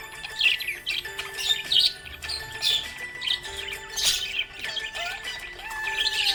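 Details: Happy budgerigar giving spaced bursts of squeaky chirps and warbles, each lasting under a second, with a gliding whistle late on and music humming beneath.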